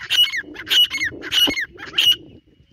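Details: Grey francolin (dhakni teetar) calling in the jungle: four loud, high, rasping phrases, each a quick burst of notes ending in a sliding whistle, spaced about half a second apart over a faint low rumble.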